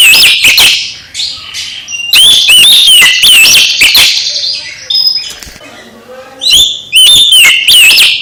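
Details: Oriental magpie-robin singing to rouse another magpie-robin: several loud, varied phrases of whistles that bend up and down, mixed with fast chirps, separated by brief quieter gaps with faint twitters.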